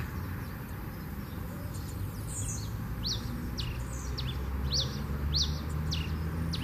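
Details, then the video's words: Red pileated finch in nature giving its fluted 'canto 21 flauteado' song: high, thin, downslurred whistles repeated roughly twice a second from the midpoint onward, over constant low background rumble. "Tico Tico Rei Canto 21 Flauteado Na Natureza"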